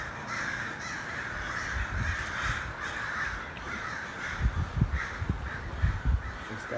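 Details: Large gathering of hundreds of crows cawing together in an overlapping harsh chorus, with low thumps and a person speaking in the background.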